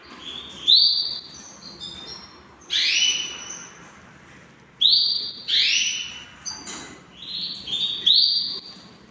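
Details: Tame pet canaries repeating sharp, upward-sweeping whistled notes, some doubled in quick pairs, in irregular bursts over nine seconds with short pauses between.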